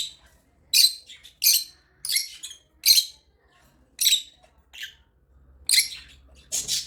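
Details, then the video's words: Kept African lovebirds give sharp, high squawking chirps in separate bursts roughly every half to one second, each harsh and broadband, over a quiet background. "Love birds singing and chirping sounds| African love birds chirping sound"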